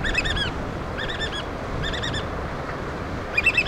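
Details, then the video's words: Black oystercatchers feeding their chicks in the Pacific Northwest of Washington, giving bursts of loud piping whistles, a quick run of three or four notes, then a pause, then another burst, over a steady low background rumble. "Black Oystercatchers Feed Chicks"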